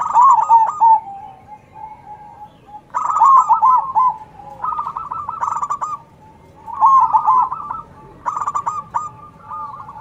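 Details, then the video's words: A loud local zebra dove sings back and forth with others: repeated bouts of quick, bubbling coo notes, each burst ending in a rolling flourish, separated by quieter lower coos. "Perkutut gacor suara besar MANGGUNG saling sahut dengan perkutut lokal"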